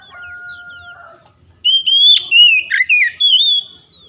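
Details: Oriental magpie-robin singing to coax lazy birds into song: a long, steady, level whistle, then a brilliant phrase of swooping, warbled notes with a sharp downward slur.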